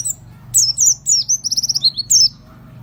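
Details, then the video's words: Oriental white-eye of fighter type, singing as a lure to provoke other birds: quick run of very high, thin descending whistles and a rapid pulsed trill of repeated notes, with a low steady hum underneath. "kicauan burung peleci pancingan langsung nyawut"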